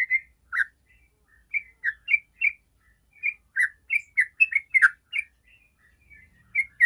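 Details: Sooty-headed bulbul singing in the ropel style, played as a lure to make other bulbuls sing: scattered bright, slurred chirps with uneven gaps, bunching into a quicker burst midway, with a quiet background.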